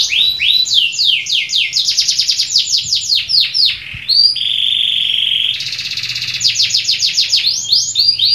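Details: Canary singing loudly and continuously in the Indonesian gacor style: fast rolling trills of rising and falling notes, a sustained steady whistled tone in the middle, then rapid trills again; a faint low hum lies underneath.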